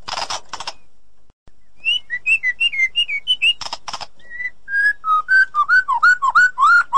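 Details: Edited white-rumped shama song meant to restart a silent bird's singing: two harsh noisy bursts, then a fast run of short whistled notes that steps down in pitch, growing louder toward the end.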